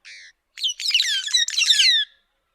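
A White-headed buffalo weaver gives one brief nasal note, then about a second and a half of loud, harsh, tumbling squawks and squeaky chatter.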